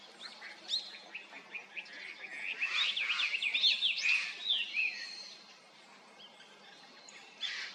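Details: Japanese grosbeak: a clear run of bright whistled notes that rise and fall in quick succession, loudest in the middle, with some fainter chirps before and after.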